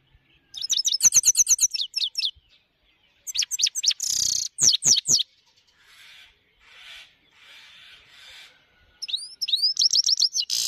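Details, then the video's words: High song of a Himalayan goldfinch, with rapid chattering trills of thin metallic notes and grating buzzy bursts. A quiet gap with faint soft background noise falls in the middle before the twittering resumes. "Himalayan gold finch high songs"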